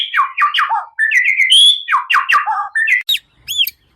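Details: Magpie-robin song meant to trigger a captive bird to respond: choppy sequences of sharp, descending chirped notes in groups, a brief sustained whistle, and high squeaky notes near the end.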